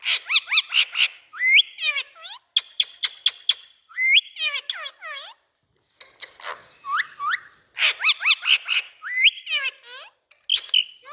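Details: Indian ringneck parakeet calling busily: rapid bursts of harsh, ringing notes mixed with rising whistles and clipped chatter, arriving in dense clusters separated by short silences.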